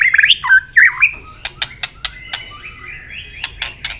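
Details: White-rumped shama, caged bird stirred to contest singing while flicking its tail, delivers rich varied whistles with rising and falling slurs, then a run of sharp dry clicks spaced irregularly, with faint quieter whistling behind.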